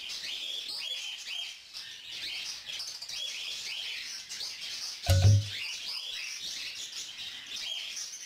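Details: Food-begging by a young lutino female cockatiel being fed by an adult male; continuous raspy chatter and chirps, interrupted near the middle by a single low thump.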